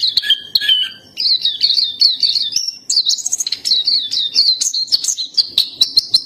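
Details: Pleci topi hitam, the black-capped white-eye, singing in 'gacor' style. A few lower stuttering notes at the start lead into a long, lively high warble of rapid, wavering chirps.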